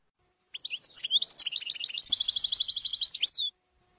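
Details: Goldfinch singing the Jordanian dialect on a tutoring tape: short separated chirps build into varied twittering notes, then a steady rapid trill held for over a second before a final upslurred note.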